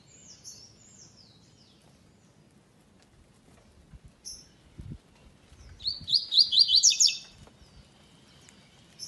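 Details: Classic-style song without third note from a double-collared seedeater in a web singing tournament, second stage: a few faint high notes early, then a loud rapid series of bright repeated slurred notes lasting just over a second.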